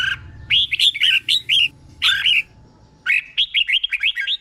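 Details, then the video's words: Caged red-whiskered bulbul used as a tutor bird for training other caged birds, singing doubled phrases: bursts of bubbly, warbled notes, each phrase a quick string of rising and falling whistles, separated by short silences. "เสียงนกกรงหัวจุก | สุดยอดนกครู เบิ้ลชัดๆ เบิ้ลเป็นคู่ๆ"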